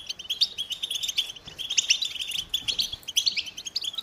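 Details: Rapid, high-pitched twittering song of a European goldfinch, with sharp liquid chirps and bell-like notes packed tightly together throughout.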